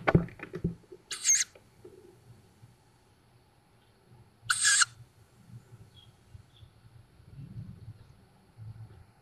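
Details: Tawny owl fledglings at a woodland nest near Szokolya, Hungary, on 7 May 2022, captured by a nest camera: two harsh, hissing wheezes about three seconds apart, with low rumbling and knocking between them.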